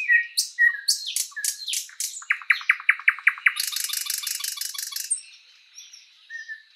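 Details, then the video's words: Thrush nightingale singing in a spring forest: varied phrases of sharp rising notes, then a fast run of repeated clicking notes and a long dry rattling trill, ending with a few soft whistles. "Nightingale bird singing"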